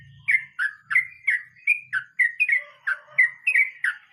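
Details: Sooty-headed bulbul delivering its 'nge roll mbonang' song, a chain of clear, slurred whistled notes repeated about every third of a second, with a faint low hum at the start.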